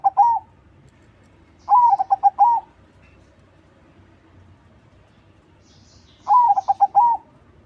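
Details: Zebra dove, crossing type, singing actively to lure other doves: the tail of one phrase, then two full rolling phrases of soft, quick coos framed by longer notes, with a long pause between them.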